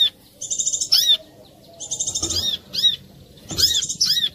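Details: Brown-throated sunbird (korlap) song meant to draw other birds of its kind into singing; three bursts of fast, buzzy high trills, each ending in piercing curved chirps, separated by short silences.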